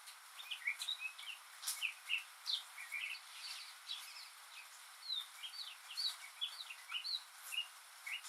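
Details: Rainy-day song of a lone northern mockingbird, which mimics other birds and sounds: a long, continuous stream of varied chirps, trills and slurred notes, phrases often repeated, over a rain-like hiss.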